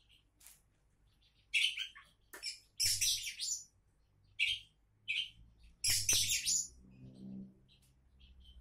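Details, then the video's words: Champion-candidate Oriental magpie-robin giving bursts of harsh chattering notes and short chirps in irregular clusters. A faint low hum is heard near the end. "Kacer Calon Juara"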